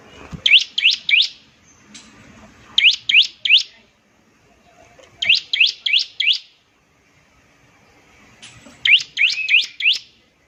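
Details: Bar-winged prinia producing short phrases while trilling to prompt other prinias: groups of three or four rising, whistled high notes, each group about two and a half seconds apart, low background murmur.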